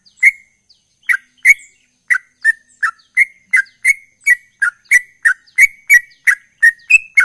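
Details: Persistently singing sooty-headed bulbul in 'ropel' style, a long run of crisp, slightly downslurred chirps delivered roughly three per second, some notes rising higher near the end, quiet background.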